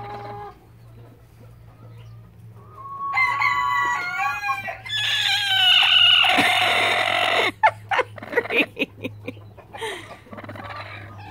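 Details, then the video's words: Three broody hens: quiet at first, then rising, wavering harmonic squawks building into a loud, harsh burst of overlapping calls, followed by short clipped clucks and a steady low hum. "3 broody chickens!"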